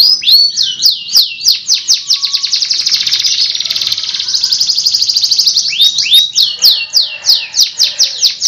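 A canary sings loudly and continuously: quick repeated high sweeping notes, a fast rolling trill in the middle, then more rising sweeps.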